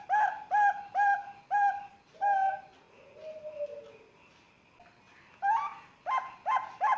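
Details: Young Bangkok zebra dove, three months old, recorded in Sengkang, Wajo, used to draw calls from other chicks: a series of short, clipped coos, then a pause with a faint lower gliding note, then more quick coos.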